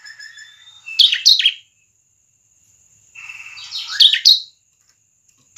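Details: Bar-winged prinia (ciblek) song used to lure other birds: a couple of sharp loud chirps, silence, then a buzzy rising run ending in bright chirps.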